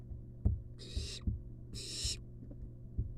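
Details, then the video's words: Two short, harsh hissing bursts from a wild barn owl nestling begging as its mother hands over a long-tailed rat inside a nest box, with soft rhythmic thumps beneath. "Barn owl nestling receives long-tailed rat from Mom."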